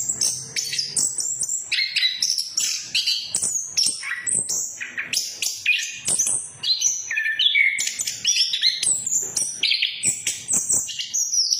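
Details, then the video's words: Lure song of the orange-headed thrush (punglor), used to get a bird that has stopped singing going again: continuous, busy high-pitched medley of whistles, trills and sharp chips, phrases changing every fraction of a second. "Pancingan Anis Kembang Macet, Anis kembang Macet Bunyi"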